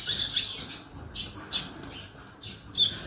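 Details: A canary opens with a quick high twitter, then gives a string of sharp, harsh chirps spaced about half a second apart.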